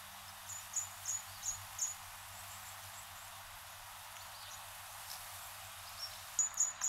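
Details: Orange bishop, a species introduced from Africa, giving thin, very high chips: four spaced about a third of a second apart, then a short burst near the end, over faint background hiss.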